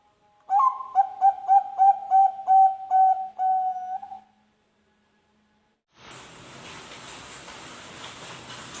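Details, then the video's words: Zebra dove, Bangkok type, song used to prompt other birds to sing: a rhythmic series of about nine soft mellow cooing notes, evenly spaced, ending in a drawn-out coo, followed by silence and then hiss. "pancingan perkutut Bangkok"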